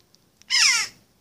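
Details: A single loud, grating, rasping squawk lasting under half a second from a young jackdaw that was rescued and raised outdoors by its parents and neighbours, begging as its carer feeds it. Faint clicks come just before the call.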